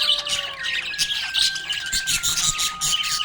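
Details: Budgies giving happy chirps, a fast scratchy twitter without pause, accompanied by long held musical tones stepping down in pitch.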